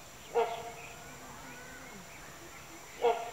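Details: Oriental pied hornbill feeding chicks inside a massive hollowed-out nest hole in a tree; two loud, harsh, brief bursts about two and a half seconds apart over a steady background hum.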